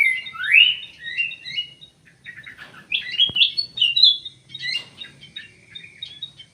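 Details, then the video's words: Munia, known locally as emprit sawah, giving a busy run of short high chirps and upslurred tweets, several overlapping and irregular, with a low hum underneath. "burung emprit sawah, emprit kji"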